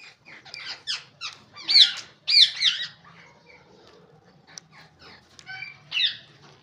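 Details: Ringneck parrots calling with short, shrill squawks and squeaks in uneven bursts, two loud screeches standing out near the middle, then scattered softer notes.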